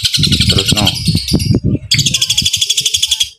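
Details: Long-tailed shrike in a long fighting-style song with sparrow-imitation bursts, delivered in one breath. A dense, high, rapid chattering phrase sounds, pauses briefly, then resumes as a fast buzzy rattle. Low voices and thumps underneath in the first half.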